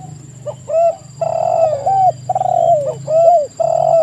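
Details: Spotted doves cooing busily, with short hooked notes alternating with longer sliding coos that dip at the end, the phrases nearly continuous. Low droning hum and a faint high tone accompany the calls.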